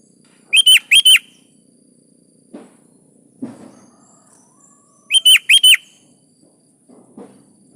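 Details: Sooty-headed bulbul phrases used to draw caged birds into song: a quick three-note whistled phrase repeated after about four and a half seconds, with soft thumps and faint distant chirps between.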